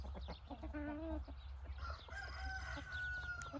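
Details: Rooster among hens and roosters scratching in golden evening light, crowing faintly from a distance: a long, slightly falling harmonic tone near the end, with softer, shorter tonal notes before it and a steady low hum throughout.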